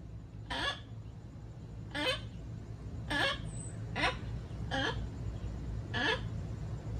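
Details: Amazon parrot giving six loud, harsh squawks, each a brief broadband burst sweeping downward, spaced roughly one to one and a half seconds apart, over a steady low rumble in the background.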